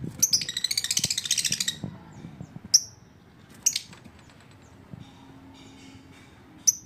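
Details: Lovebird giving a quick burst of high, sharp chirps for about two seconds, followed by single shrill chirps spaced a second or more apart, over faint low background rumble.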